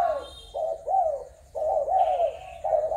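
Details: Spotted dove, birds from Malaysia, Thailand and Cambodia, recorded 21 November 2022. Two quick phrases of throaty, bending coos, each note swelling then dipping, separated by a brief pause. Soft high chirps sound faintly in the background.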